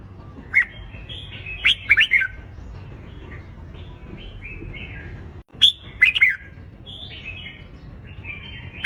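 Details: Red-whiskered bulbul competition song for bird training: two bursts of loud sharp chirps and slurred whistles separated by several seconds of quiet soft warbling.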